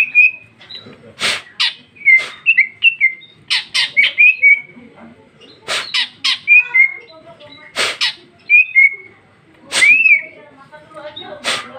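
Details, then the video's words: Female greater green leafbird singing ngeplong isian in 2021: clusters of harsh buzzy chatter punctuated by sweet whistled twirls, repeated in bouts every couple of seconds. "Cucak ijo betina paling gacor ngeplong isian super mewah"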